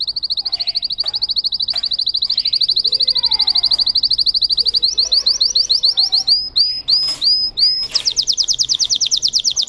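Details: Russian canary bred for singing: a long steady high rapid trill lasting about five seconds, breaking into looping whistled phrases and ending in another fast pulsed roll.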